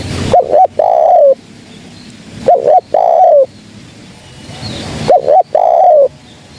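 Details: Spotted dove calling, a lure recording for trapping birds: three phrases, each a short double coo, then a longer coo that falls at the end, repeated about every two and a half seconds over quiet rustling background.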